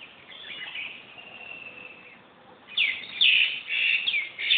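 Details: Bird at Mohan, Corbett National Park, heard first as faint high twittering, then, after a quiet spell, a sudden burst of loud, rapid chirped notes tumbling over one another until the end.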